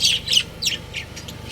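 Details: Budgies from a breeding pair uttering a rapid run of three or four high, scratchy chirps within a second and a half.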